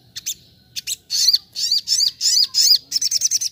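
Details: High, sharp chirping from a little spiderhunter (sogok ontong), 'nembak' training style meant to sound wild: a few isolated notes, then a steady series of loud bent chips, about three per second, ending in quicker clipped notes.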